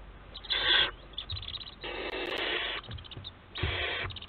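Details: Barn owls of a Théding nest box, recorded by webcam on 4 July 2022, give three hoarse hissing screeches in quick series, the middle one longest at nearly a second, with light scraping between them.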